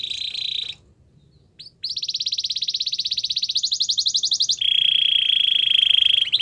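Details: Belgian canary singing to warm up and get ready for females during training: a high steady note, a pause, then a long fast rattling trill of rapid pulses, shifting to a lower sustained buzzy roll.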